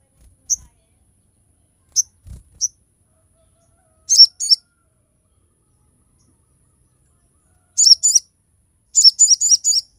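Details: High, piercing calls of a crested jay in sharp-shot song, used to teach other birds and lure other crested jays to sing: single scattered chirps, then short bursts of two to four rapid notes.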